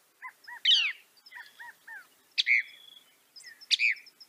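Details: Soft arched notes repeated in a short run, broken by louder rasping slurs and sharp calls, from a northern mockingbird against a quiet background hiss.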